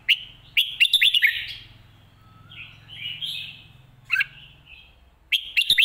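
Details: Red-whiskered bulbul song in the lak wai and mae bot styles. Two bursts of rapid, sharp chirping notes frame softer, slurred warbles in the middle, with a low hum underneath.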